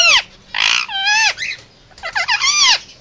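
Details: Emergency calls from a pet Indian ringneck parakeet: a rapid run of strident, harmonic squawks, some sweeping up and down, clustered in two noisy bursts with a brief pause between.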